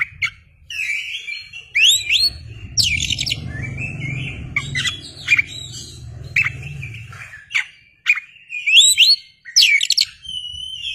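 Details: Kacer (Oriental magpie-robin) in full, non-stop song while opening its tail, a lure recording: rapid mix of clear whistles, upward-slurred notes and harsh squawky bursts, with low background rumble through the middle.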